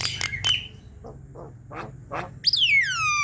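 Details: Javan myna song played to stimulate lazy mynas into singing: harsh, rasping notes and rough squawks that end in a loud, clear, falling whistle, over a low steady hum.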